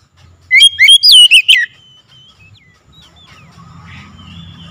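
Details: Oriental magpie-robin calling loudly: a quick burst of clear, sharply rising and falling whistled notes lasting about a second, followed by faint scattered whistles and low background hum.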